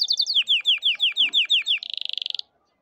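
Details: Canary song meant to teach silent young canaries to sing: a series of clear notes sliding downward, each repeated about five times a second, ending in a very fast buzzing trill before silence.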